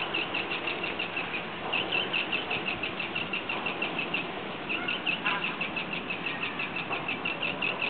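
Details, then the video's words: Common terns during courtship feeding, as a male brings in a small fish. Several birds give rapid, harsh, high calls in an overlapping stream over rushing wind or surf. "Common Terns courtship feeding"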